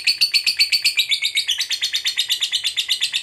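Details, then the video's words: Lovebird fighter trilling ngekek to provoke an opponent: steady, fast chattering notes, about four per second, first level and then dropping slightly in pitch midway, with no pause. "Pancingan Suara Burung Lovebird Fighter Ngekek Pancing EMOSI LAWAN"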